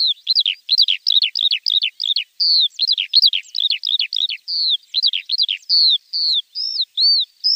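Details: Javan bush lark song as training material for untrained birds: a fast repeated series of high looping chirps, then drawn-out whistled notes toward the end.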